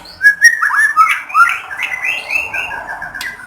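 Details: White-rumped shama singing to encourage other shamas to sing: loud, clear rising and falling whistles at first, then a softer, continuous warbling phrase of lighter notes.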